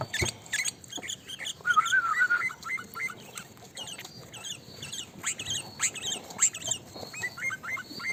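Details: Sooty-headed bulbul giving a short bubbly, warbled phrase of mid-pitched notes, then brief rising notes near the end, over a constant background of thin high chirps, clicks and ticks.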